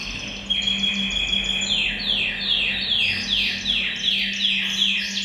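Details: Canary chorus in a bird room to encourage males to sing: a long steady whistled tone, then a series of descending sweeping rolls repeated about every half second, over a constant low electrical hum.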